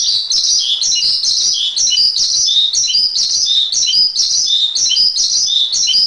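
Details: Javan pied starling masteran: varied song mixing harsh chatter with clearer whistled notes that step up and down, about one phrase per second.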